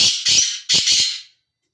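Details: Loud, grating squawks from a free-roaming black francolin: two rasping notes run together, then a brief gap and a longer two-beat buzzy phrase fading away.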